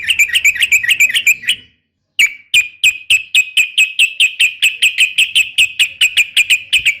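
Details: Female yellow-vented bulbul calling the male: a fast chatter, a short gap, then a long run of sharp, evenly spaced chirps about three per second.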